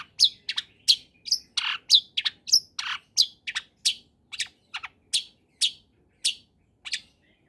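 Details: Actively singing long-tailed shrike in a combination lure recording meant to prompt reluctant shrikes to sing, giving a steady run of short, sharp chipping notes about every half second, some harsher and lower.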